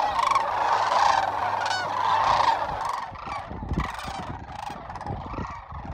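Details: Sandhill cranes at Whitewater Draw, McNeal, Arizona, January 19, 2023, giving loud rolling, trumpeting calls in an overlapping flock chorus that is strongest in the first three seconds, then thins.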